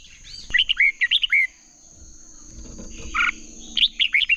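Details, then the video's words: Red-whiskered bulbul in hót đấu competitive singing, a decoy recording for training birds to sing: a rapid chain of slurred whistled notes, a pause, one harsher double note, then another quick warbled phrase, with a constant high-pitched whine behind. "Chào mào hót đấu"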